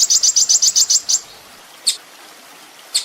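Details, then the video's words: Kolibri ninja sunbird on a master recording for training songbirds: about eight quick, bright, high chirps in a rapid series, then two separate sharp single notes after pauses. "masteran mewah full isian kolibri ninja bikin burung emosi"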